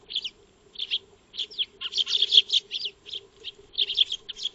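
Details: Feeding Eurasian tree sparrows in a backyard, trail camera recording: lively overlapping high chirps from several birds, nearly continuous chatter with short gaps, steady faint hum underneath.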